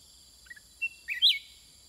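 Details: A soft note or two, then a thin whistle and a bright, bubbly whistled flourish from a sooty-headed bulbul answering wild birds, over a constant shrill insect hum.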